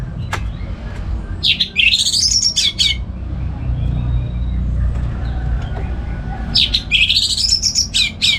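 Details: Orange-headed thrush (anis merah) at home in the morning, sung for training other birds; two short bursts of rapid, rising and falling whistled phrases with a pause between, over steady low background rumble.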